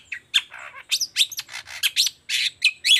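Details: Long-tailed shrike delivering energetic 'toet toet' song as a lure for quiet shrikes: rapid harsh chattering mixed with squeaky whistles and raspy bursts, running almost without a break.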